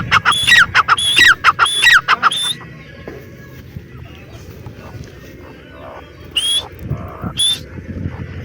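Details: Grey francolin: shrill, ringing repeated notes for the first two and a half seconds. Then quieter background with a soft hum, and two more isolated high calls near the end.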